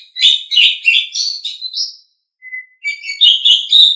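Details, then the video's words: Asian pied starling singing in quick bursts of scratchy, chattering notes, then a brief thin whistle after a pause, then another rapid squeaky burst. "SUARA BURUNG - Masteran Terbaik Jalak Suren"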